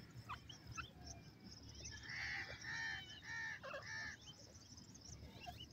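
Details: On a morning walk in open country, a dark francolin perched on a stone gives a run of four loud, harsh, evenly spaced notes, about one every half second, over steady outdoor background noise.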